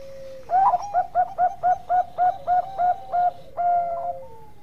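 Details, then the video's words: Bangkok-type zebra dove in energetic song, recorded as a tutor for other birds: a short lead-in note, then about eleven crisp cooing pulses at roughly four per second, ending in a long level note that dips at the close. "Perkutut Bangkok Gacor Ampuh buat masteran"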